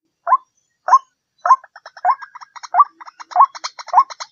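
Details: White-breasted waterhen lure call: short hoarse notes near one kilohertz repeated about every half second, joined midway by quicker, softer clucking notes in a busier chorus.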